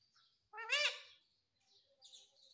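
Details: Indian ringneck parrot kept as a pet, voicing a single loud, rich, arching word said to be "mummy", followed by quiet, high scratchy chirps.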